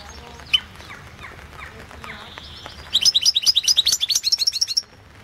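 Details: European goldfinch competition entry, World Championship in Goldfinch Song 2016: faint scattered chirps and a thin held note at first, then a loud, rapid string of sparkling high twittering notes for about two seconds.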